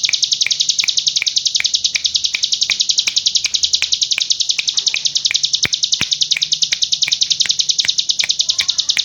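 Hill prinia pouring out an unbroken, high, buzzy rattle like rapid gunfire. Sharp ticks and clicks sound about three times a second throughout.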